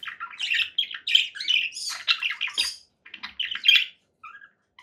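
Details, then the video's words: Conure parakeet giving fast, scratchy chatter and squawks in quick succession, ending with a few faint softer notes after a short gap. "7 hours of relaxing conure parakeet sounds"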